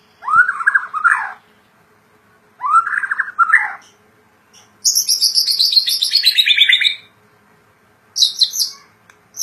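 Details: Murai batu, the white-rumped shama, a kept songbird in lively gacor song: two loud rich whistled phrases, then a long high buzzy sweeping run sliding downward, and a last short high burst.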